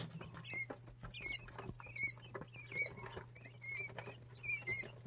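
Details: Peeping of two- to three-day-old Jumbo White Quail chicks: sharp high notes that dip slightly in pitch, about one every 0.7 seconds, steady and fairly regular, over quiet scratching and a low constant hum.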